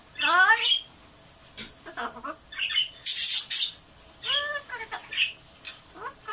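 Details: Blue-fronted amazon kept as a pet, repeatedly saying "otsukaresama" in the morning. Hoarse, buzzy voice-like phrases and squawks come in irregular bursts, with shorter chattering notes in between.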